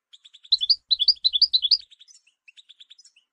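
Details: European goldfinch song, played as a model for training and stimulating other birds: a fast, bright twittering run of high chirps and trills, rising and falling, fading into scattered softer tweets against a silent background.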